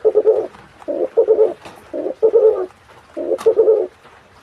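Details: Hybrid of spotted dove and pigeon, called burung merkuri: low, soft cooing in five short phrases, each a quick run of three or four muffled notes, with brief pauses between phrases.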